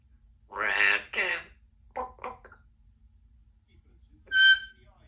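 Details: Symon, a 2-year-old female Congo African grey parrot, practises words and sounds at home: two voice-like syllables, then a few short clipped words, ending with a clear, ringing whistle in a quiet room.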